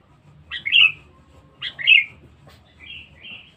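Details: Lure recording of a sooty-headed bulbul, said to be very loud and fierce: two bright chortled phrases about a second apart, followed by two softer, thin whistled notes.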